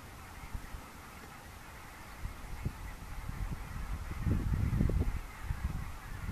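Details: A huge mixed flock of wild geese (Barnacle, Greylag, White-front) heads out in October 2015 morning light from sleeping shallows of IJsselmeer to fields near Gaat, Netherlands. Scattered honks build to a loud clamour near the end.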